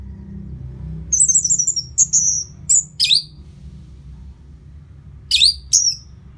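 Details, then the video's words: Orange-headed thrush after moulting, its song used to spur the bird into greater aggression: a few bright, high chirped notes, a short rapid stutter, then scattered sharp slurred calls separated by silent gaps over a low hum. "Pancingan Suara Burung ANIS MERAH Pasca Mabung"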